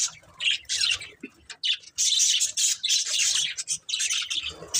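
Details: Budgerigar breeding pair giving loud, harsh high chirps and squawky chatter in close-packed bursts, with one brief pause before a sustained rasping stretch.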